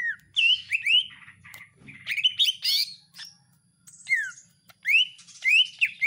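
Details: Home-kept greater green leafbird singing with iora-style elements: loud upslurred whistles and harsh chattering notes in bursts separated by short pauses.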